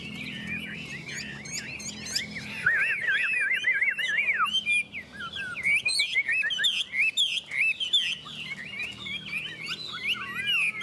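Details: Two Chinese hwameis contest in song, Vietnam: a dense, energetic mix of wavering whistles, rapid rolling trills and sharp chips, rising and falling in pitch throughout.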